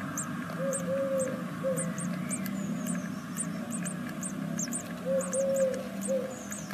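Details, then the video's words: Nestling great tits, six days old in a second brood in Veszprém, Hungary, repeat sharp, high arched begging squeaks, while a low three-part hooting call sounds twice in the background. "The second brood 6e day Great Tits"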